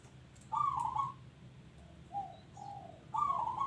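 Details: Local zebra dove singing. A trilled, low coo is followed by two softer, lower notes, and then the rolling coo starts again. Faint high chirps sound in the distance.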